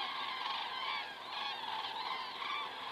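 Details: Common cranes flying over Estonia in the evening, 19:10 on 19 September 2017, recorded by a crane cam: a short, dense blur of overlapping rolling trumpet calls from many birds.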